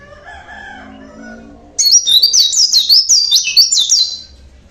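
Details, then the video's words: Local Java Oriental white-eye singing naturally: a faint low rooster-like sound first, then a loud, high, fast-paced twittering warble with rapidly rising and dipping notes for over two seconds. "burung pleci lokal Jawa bunyi alami"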